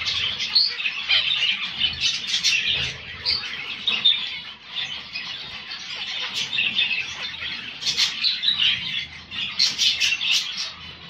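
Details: Grey eumo mutation zebra finches from Morocco keep up dense, continuous chatter of sharp squeaky chirps and nasal notes, several birds calling over one another, with occasional fluttering wings.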